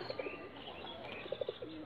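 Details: Ghia Sulli pigeon, a yellow high-flyer breed from Bangladesh, giving soft, low coos in two short groups of three, a second apart, over steady background hiss.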